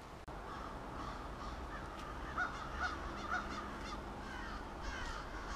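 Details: Many crows gathering for their nightly roost in suburban Halifax, Nova Scotia, heard as a distant, blurred chorus of caws with a few clearer calls in the middle over a steady low background rumble.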